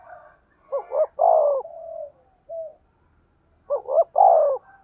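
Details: Lure call of a spotted dove in the 'thunder' voice style, meant to excite other doves. Two loud phrases, each two short rising hoots then a long falling coo, with quieter trailing coos between.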